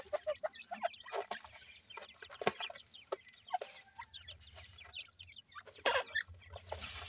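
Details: Feeding francolin chicks, eating termites, give short high peeps in scattered clusters, some slurred downward, between sharp clicks and rustling from the feeding.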